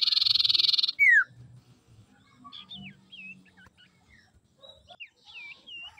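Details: Common iora hen used to provoke rival males: a rapid pulsed buzz ends in a sharp descending whistle. Scattered twittering notes and soft low rumbling follow.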